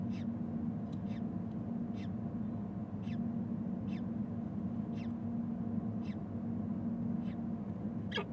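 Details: Peregrine falcons at a nest-cam nest in Canton, Ohio, 29 April 2014, as the resident male meets a new hatchling: thin, high, quickly descending chirps, repeated roughly once a second, over a steady low mechanical hum.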